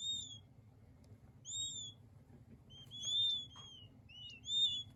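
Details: High whistled peeps of king quail chicks, single and in quick overlapping clusters, arched and thin, sounding roughly every second or two over a soft low hum.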